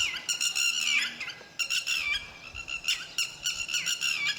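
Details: A lapwing parent guarding its chicks calls almost continuously in piercing, strident notes, delivered in rapid stuttering runs with short gaps and slight downward slurs.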